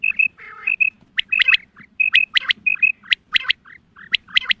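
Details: Female quail calling for hunting: quick paired whistled notes, a rough nasal buzz, then rhythmic clusters of sharp rasping bursts about every second over a low hum.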